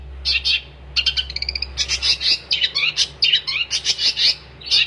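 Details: Long-tailed shrike in vigorous gacor song: rapid bursts of high, harsh chattering and clipped whistles, some notes falling in pitch, packed tightly with short gaps and a steady low hum underneath.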